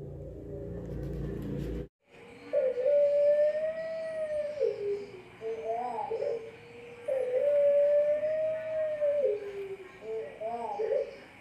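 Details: Competition-line Pelung turtle dove from Central Java breeders singing long even coos that dip at the end, followed by short quavering notes, twice in sequence, after a brief burst of other noise.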